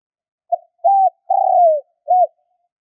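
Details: Spotted dove, a kept decoy bird, calling in the 'kích bổi' style meant to stir up wild doves. It gives soft, low coos: a short note, two level drawn-out notes, a longer falling coo, then a short arched note, against silence.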